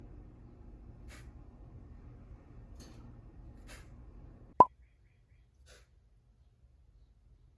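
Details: Quiet indoor room tone with faint scattered ticks and a single sharp plop midway, then near silence.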